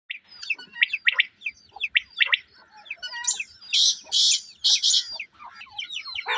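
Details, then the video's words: Quail give a busy run of short, high chirps and squeaky notes, broken midway by several loud, harsh rasping bursts. "Quail calls and loud noises"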